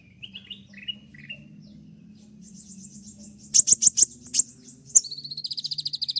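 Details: Moulting konin still in full voice: soft low-pitched chirps, then a high sustained whistle broken by loud clicking notes, ending in a fast even trill of repeated high notes.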